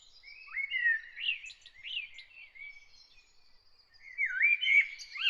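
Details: An early-morning singing bird: a wavering series of swooping whistled notes and chirps, a softer lull, then a louder, looping warbled phrase.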